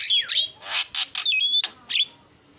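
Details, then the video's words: Starling lure song used to draw other birds in: a brief sequence of noisy squawks, one dipping whistled swoop and a clipped ringing note, ending in a rising buzzy call. "SUARA JALAK PALING KREN KICAUAN JUARA"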